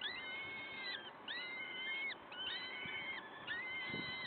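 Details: Peregrine falcon at the nest, Wakefield, 5 May 2021 at 06:55: four drawn-out, harmonic wailing calls, each lasting about a second and separated by short pauses, over a faint steady background hiss.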